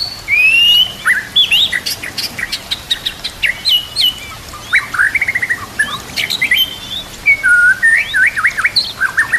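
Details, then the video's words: White-rumped shama song meant for training young birds, with trickling water behind: a long, varied run of rising whistles, dry clicks and chattering notes, loud rich phrases alternating with softer quick series. "TERAPI MURAI BATU YANG AKAN MEMBUAT BURUNG BIASA JADI ISTIMEWA"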